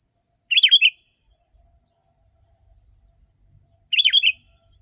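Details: Sooty-headed bulbul song meant to call in wild birds; two short, gurgling four-note phrases roughly three and a half seconds apart, otherwise quiet apart from a faint high electronic tone.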